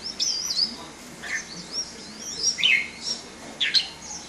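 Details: Red-whiskered bulbul in a cage, displaying: short high whistled slurs and sharp chirps spaced about half a second apart, a few louder descending notes mixed in.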